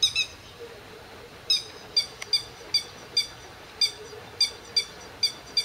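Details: Defending its territory from a grey heron and ducks, a grey-headed lapwing dives low, 31 May 2011, 08:20. Strident, bright notes are spaced about half a second apart in a steady, insistent sequence, with a faint low hum behind.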